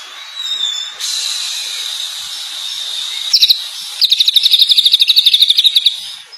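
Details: Champion cucak ijo, the greater green leafbird, singing 'gacor' with varied borrowed phrases: a sustained thin whistle, a short burst, then a fast high pulsing trill lasting about two seconds, steady background hiss.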